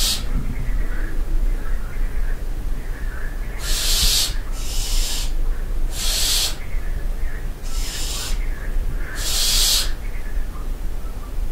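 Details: At night in the dovecote of a castle at Barbirey-sur-Ouche, barn owls give five rasping, noisy hisses, each roughly half a second long and about every one and a half to two seconds, after a quiet start, with constant low-pitched rumble beneath.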